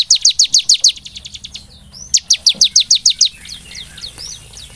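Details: High, rapid chipping series from a Bar-winged prinia used as a lure to make birds sing: two runs of about eight strong sharp notes, then fainter scattered twittering at the end.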